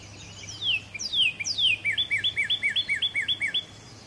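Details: Northern cardinal singing: three loud down-slurred whistles sweeping from high to low, followed by a quick series of about ten short rising chirps repeated several times a second, over a faint steady low hum.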